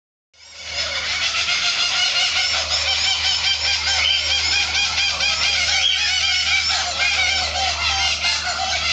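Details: Laughing kookaburras in trees, a loud raucous chorus of harsh cackling notes rising and overlapping without pause for the full length, with a low steady hum underneath.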